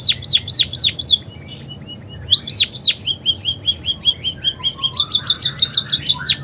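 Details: ['Munia singing canary song imitations. Fast downswept whistles open, then a brief softer pause, a long even trill of short notes, and a closing flurry of high rapid chips.']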